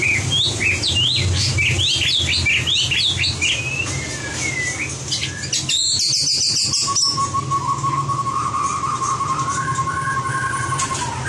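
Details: White-rumped shama in voice training for competition singing: a fast run of varied rising and falling whistled notes, then a burst of dry clicks, then a long, low, steady whistle with faint background hum.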